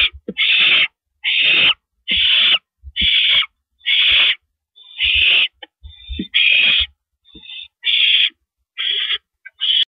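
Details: Male barn owl handing food to his mate on a porch in the evening, April 16, 2012; a long series of rasping hissed screeches, some shorter and fainter toward the end, with soft thumps and scuffles between.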